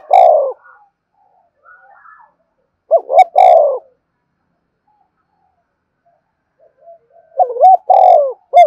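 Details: Spotted dove giving a standard lure call, its low hoarse coos arriving in phrases of a rising double note then a long rolling coo, heard three times with quiet pauses between.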